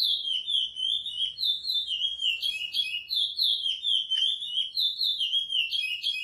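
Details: Curió (Chestnut-bellied seed finch) praia-style song prepared for encarte song training: a fast stream of sweet, slurred whistled notes repeated without pause, bright and steady, over a quiet, faintly rumbling background.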